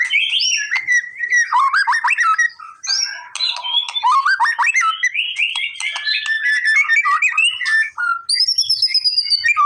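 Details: Male white-rumped shama, energetic and singing to provoke replies: fluid whistles and twisting phrases mixed with scratchy chatter, closing with a long, high, pure whistled note.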